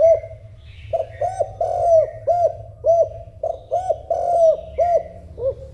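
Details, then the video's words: Spotted dove giving urgent cooing calls to call other doves: low, mellow, rounded coos repeated in a steady run, roughly ten in six seconds, each with a slight rise and fall, over a constant low hum. "cu gáy thúc gù gọi bổi"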